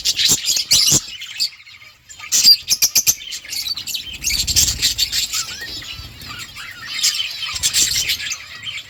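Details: Budgerigars chirping in a flock within a colony: quick clicks and flutters open, then busy overlapping warbles and squeaky calls, with a low rumble midway.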